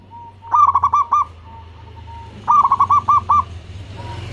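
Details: Local zebra dove kept in Indonesia as a lure to set other doves calling: two bursts of fast, ringing coo notes about two seconds apart over a steady low hum, with soft single tones between.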